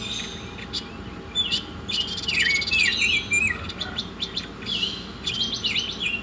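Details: Lively Oriental magpie-robin masteran song, rich in quick whistled swoops and chirps with short buzzy bursts, given in rapid, uneven bursts.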